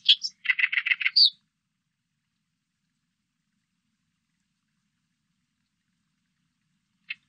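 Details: Oriental reed warbler from a 2020 recording by Korea's National Institute of Biological Resources: a brief harsh phrase, a quick rattling chatter and a high squeak, then silence broken by one lone note.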